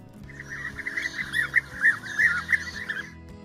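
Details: European bee-eaters, rare in Poland and feeding on bees, wasps and other large insects, give rolling, liquid 'prruip' calls, several birds overlapping about three times a second, over a soft low musical drone.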